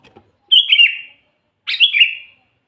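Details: Two liquid, slurred whistle phrases from a Sooty-headed bulbul singing vigorously, used to lure wild bulbuls into traps; each phrase about half a second, falling in pitch.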